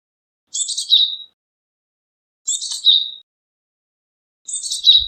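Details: Japanese tit calls: three short chirpy bursts about two seconds apart, each a rapid cluster of high notes sliding down into a brief lower tone, with clean silence between them.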